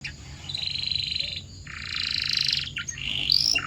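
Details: Canary singing a training song meant to make other canaries sing: buzzy rolling tours held for about a second each, with a gap, then a longer harsh roll and short sliding notes.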